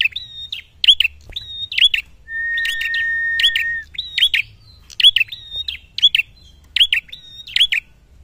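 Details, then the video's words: Prinia singing actively while looking for a rival: sharp chirpy notes in short paired bursts about once a second, with a steady flat whistled tone lasting about one and a half seconds midway, over faint low rumble. "Prenjak Pala Merah Gacor Mencari Lawan"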